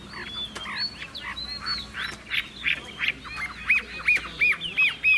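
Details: Caged Chinese hwamei song. Jumbled, scratchy notes and other sounds come first, then a crisp series of arched whistled notes repeated about every third of a second.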